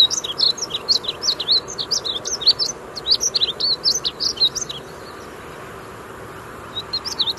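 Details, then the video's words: Male painted bunting singing at Wichita Mountains Wildlife Refuge, Oklahoma: rapid high warbled phrases of sweet, slurred notes, two bursts of song separated by a quiet pause near the end, faint background hiss. "painted bunting bird call"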